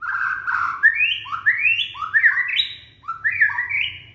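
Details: Young white-rumped shama from Indonesia, its song used to prompt shamas that have stopped singing; rich, fluty whistled phrases that climb in steps, repeated in quick overlapping rising slurs with faint high chips above.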